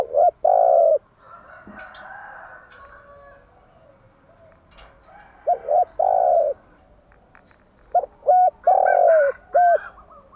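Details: Spotted dove morning cooing for training doves: a long coo, a pause with a faint buzzy murmur, then coo phrases with quick stuttered notes, ending in a rapid burst of several short coos.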